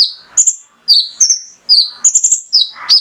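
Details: Male mangrove whistler singing to stir other birds: a few long, clear whistles, each sliding down or held level, spaced under a second apart, with a lower rough note at the end.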